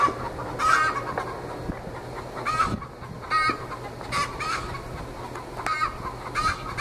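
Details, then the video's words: Twenty-week-old Australorp hens, not yet laying, raising a huge fuss in a backyard with the egg song: scattered loud squawking cackles over a steady noisy background. "Australorps singing the "egg song""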